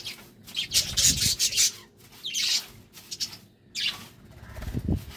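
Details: Budgerigars during love time, giving scratchy, raspy chatter in bursts of high buzzy notes, with short quiet gaps and soft low thumps between them.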